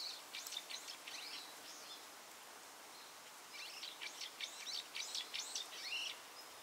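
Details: Brambling calling on 5 November 2020: two bursts of short, sharp high chirps, several in quick succession in each burst, with a faint steady background hiss.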